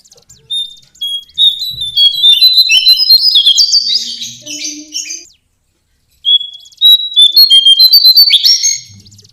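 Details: Lesser shortwing (cingcoang coklat) song: a few spaced high whistles that speed up into a loud, rushing jumble of warbled notes, then a pause and a second identical phrase.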